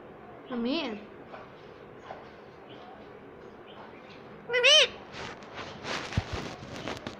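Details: A pet ringneck, rose-ringed parakeet known as a talking parrot, makes two clear arched, harmonic speech-like calls near 0.7 and 4.7 seconds, then rustling and clattering handling noise in a room.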